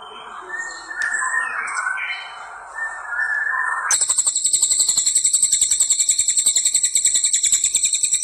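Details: A crested jay (Platylophus galericulatus) gives a long, high, metallic rattling trill of fast, even pulses, after a few seconds of lower, wavering bird notes.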